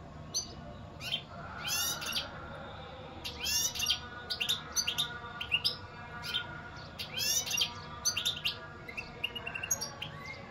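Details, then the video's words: European goldfinch song: bursts of fast, liquid twittering and buzzy notes, repeated in phrases every second or two across the recording, with a faint steady hum underneath. "اقوا واجمل تغريد حسون"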